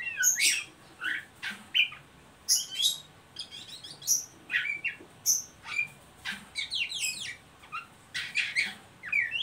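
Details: Oriental magpie-robin uttering ngeriwik phrases, a lure to make young birds sing: loud scratchy bursts and short high whistles, delivered in spaced clusters with quiet gaps between.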